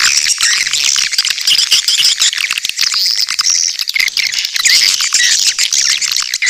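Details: Swiftlet lure call: a dense, continuous mass of high chirps and twittering tones, busy and unbroken throughout, with no pauses and no other sounds.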